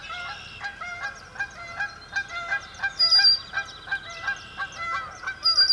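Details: Chorus of sandhill cranes on a marsh at cloudy sunrise: resonant, trumpeting calls repeated in a steady pulsing rhythm, several birds overlapping, with a thin high songbird whistle near the end.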